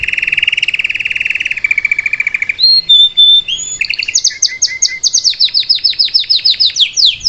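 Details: Salsa canary song meant to teach a young bird: a long low rolling buzz, brief pure whistles, then sharp high descending notes alternating with low chips, ending in rapid trilled phrases.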